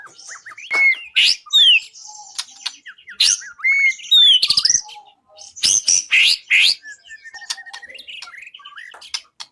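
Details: White-rumped shama song used as training material for songbird contests: varied loud whistles, slurred rising and falling notes and harsh bursts, delivered in irregular phrases with short pauses.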